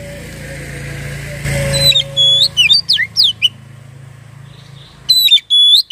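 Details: Lure recording of an Oriental magpie-robin (kacer), intended to make birds sing. A short series of bright whistles swoops down and up, then a pause, then two loud, sustained high notes. A low hiss and hum persist throughout.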